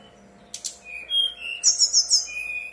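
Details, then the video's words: Brown-chested jungle flycatcher in a fluting, steady song meant as a lure so other birds answer and sing: a buzzy burst, clear drawn whistles, then four quick, very high ringing notes and a final level whistle. "Pancingan SRDC bahan biar nyaut dan bunyi, SRDC nyuling gacor"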